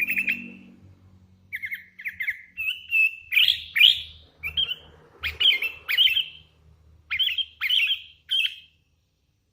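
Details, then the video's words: Sooty-headed bulbul, a hand-reared bird singing actively, delivering a lively run of short chirpy whistled notes, many rising sharply, in quick irregular succession with a low hum early on. "Suara ASLI kutilang LOLOHAN GACOR"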